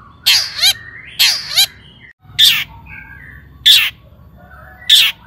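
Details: Long-tailed shrike sounding to provoke other shrikes into song: loud harsh grating notes in pairs, followed by sharp single bursts about once every second, with soft whistled fragments in between.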